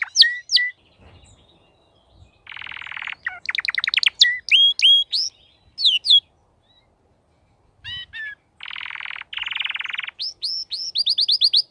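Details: Crested canary singing in full form: sharp whistled upslurs and chirps, then dense buzzy rolls, rapid descending trills and repeated high notes, broken by short pauses.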